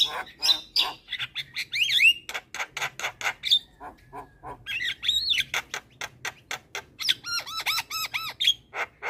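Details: Javan myna in energetic, very vocal song: dense run of harsh broadband clicks and squawks mixed with sharp whistled notes, closing with a quick series of looping, bouncing whistles; no other clear sounds.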